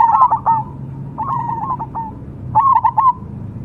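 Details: Cemani zebra dove cooing in three short phrases, each a quick stuttering run of soft, mellow, slightly trilled notes separated by brief pauses.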